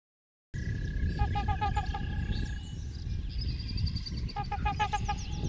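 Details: Chickens: a mother hen's quick, regular clucks mixed with high, thin peeping from her chicks, over a steady low rumble of background noise.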